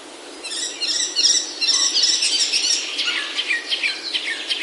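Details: Short burst of lively birdsong in the oak-covered Himalayan hills of Himachal, India: dense overlapping twittering and trilled notes from more than one bird, starting after a quiet moment.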